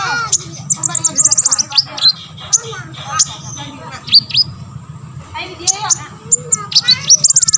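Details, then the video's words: Olive-backed sunbird song played to provoke other sunbirds to sing: rapid high thin chirps, trills and sharp downslurred notes, with faint background music and a low hum. "KONIN GACOR BONGKAR MATERI"YG LAIN AUTO BONGKAR"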